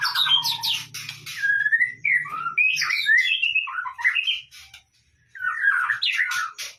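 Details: White-rumped shama song used as a lure to trigger singing: a rich, fast run of varied whistled phrases with rising and falling slurs, brief buzzy notes and sharp chirps, pausing briefly near the end before resuming; faint low hum early on.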